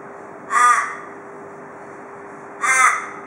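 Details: An Australian raven, a daily visitor to a porch in Perth, gives two harsh, nasal caws, each under half a second and about two seconds apart, over a faint steady hum; this is the typical Perth raven call.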